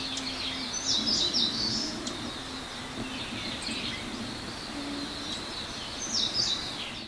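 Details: An adult Eastern crowned warbler sings in a dark forest before dawn on Mt Shiraki, Hiroshima, on 30 May 2019. It gives two bursts of high, thin, rapid chirping phrases about five seconds apart, over steady background hiss and a low hum.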